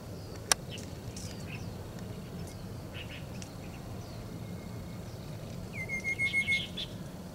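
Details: Two Rufous-capped Babblers chirping as they weave through bush in Metropolitan Park, Taichung City, on 13 November 2021, recorded on a Sony Handycam; scattered short high chirps, then a brief pulsing whistled note near the end, over steady low background hum.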